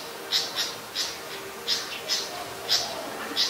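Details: Malaysian pied fantail, a very common resident, recorded in Ubon Ratchathani, Thailand, on 25 November 2019: short, high, squeaky notes repeated in an uneven series about every third of a second.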